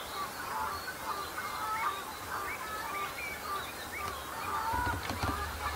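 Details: A flock of common shelducks at the start of the breeding season, sparring to establish pecking order and impress mates, call over one another in short, quick whistled and chattering notes against a steady outdoor hiss.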